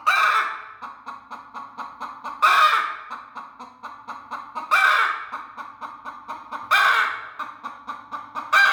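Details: Broody hen, aggressive and protective while guarding her eggs: steady low clucking pulses about four per second, broken every two seconds by a loud harsh squawk.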